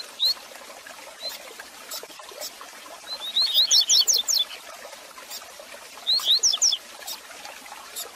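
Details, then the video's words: Song of the Double-collared seedeater, used to warm up a caged male: an isolated whistle, then a rapid run of high slurred notes, and later a shorter similar phrase, over soft continuous hiss. "Canto Para Esquentar seu Coleiro Com Fibra!!!"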